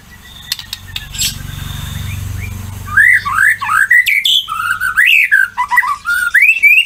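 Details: Singing white-rumped shama meant as a lure so other shamas respond: after a few seconds of low background rumble, loud rising and falling whistled phrases and quick slurred notes follow one another energetically.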